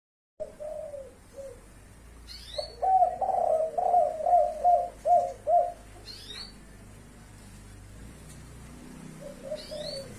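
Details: Spotted dove of the blorok leopart type giving its five-note kuk call: a series of soft, low, mellow coos run together in the middle, with short high chirps from another bird at intervals.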